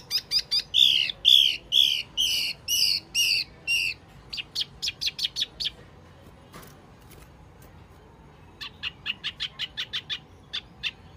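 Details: Lure call of the Wambi mini, meant to attract birds: a fast run of sharp, high trilled notes, then thin clicking ticks, a pause, and a second quick burst of brief high chirps.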